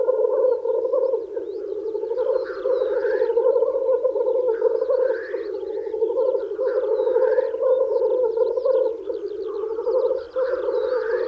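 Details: Black grouse males at a spring lek, courting females with a steady, dense bubbling rookoo chorus of overlapping voices, punctuated by about four hoarse rising hisses and light background bird twitters.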